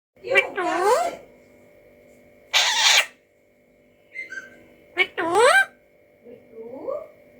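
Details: Alexandrine parakeet talking: short voice-like phrases with strongly wavering, rising and falling harmonic pitch, alternating with a harsh noisy burst and a few faint squeaky notes, separated by quiet pauses.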